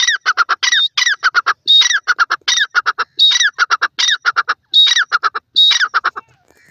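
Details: Grey francolin (dakhni teetar) calling while kept in a cage. Loud, ringing phrases repeat steadily, each a strident rising note followed by a quick run of sharp clipped syllables, about eight phrases in under seven seconds.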